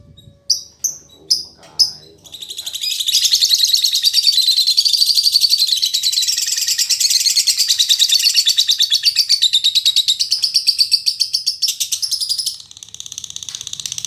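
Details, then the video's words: Female lovebird with a fighter temperament, singing as steadily as a male and offered as tutor audio: a few sharp separate chirps open, then a long, shrill, rapidly pulsed chatter runs unbroken for about ten seconds. "Suara Burung Lovebird Betina Fighter"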